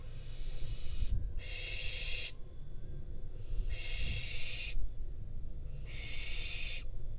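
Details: Wild Israeli barn owl fledgling receiving prey from its parents on camera. Three drawn-out noisy hissing screeches roughly a second long, with gaps of about one second, plus faint low thumps and background hum.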